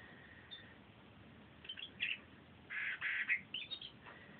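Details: Pet canary singing a bit on a sunny day: short bright chirpy bursts, a quiet note near the start, then a denser cluster of buzzy twittering phrases in the second half over steady background hiss.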